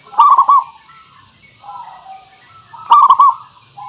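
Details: Zebra dove song used as a lure to get birds to respond; two loud vibrating coo bursts nearly three seconds apart with faint low cooing between.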